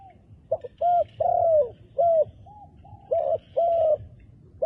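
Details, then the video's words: Handsome wild dove with dark black feathers gives soft, mellow coos: a short double note, a long drawn coo, then further coos in a steady, unhurried run. "យូៗជួបមួយលលកព្រៃរូបស្អាត រោមឌិតខ្មៅ"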